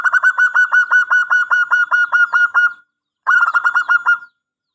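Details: Local zebra dove, song used as a lure and tutor for other doves: rapid even series of short, bright, clipped cooing notes, about four per second, a pause, then the series resumes.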